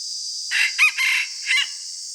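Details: Decoy red junglefowl crowing at morning, used to lure wild birds. A single rough, broken crow of about a second, in several harmonic bursts ending with a short final note, over a constant high-pitched hiss.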